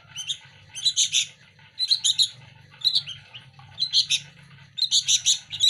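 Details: Young sooty-headed bulbuls compete for hand-fed food, giving clustered rasping chirps in bursts about once a second, each burst a rapid stack of harsh notes, with a faint low hum beneath.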